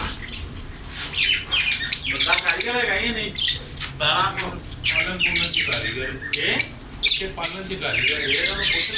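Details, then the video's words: Ring-neck parrot talking in its natural voice: a run of voice-like, harmonic syllables mixed with raspy squawks and sharp high chirps, delivered in irregular bursts throughout. "green parrot talking ||parrot natural voice"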